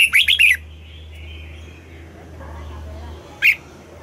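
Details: Red-whiskered bulbul morning song, double-note style: one brief burst of fast warbled notes, then quiet, then a single sharp chirp near the end. A low steady hum runs underneath.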